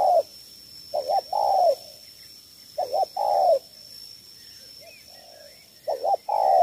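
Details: Spotted dove, Cà Mau in Vietnam, in 'thổ 3 âm' three-note cooing for luring wild field doves: quick doubled hoot then a longer sliding coo, three phrases with gaps, quiet background with a constant hum.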